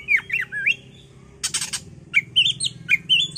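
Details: Bait recording to make an Oriental magpie-robin agitated and singing: looping, rising whistled phrases, a burst of harsh grating notes, then several more quick upslurred whistles.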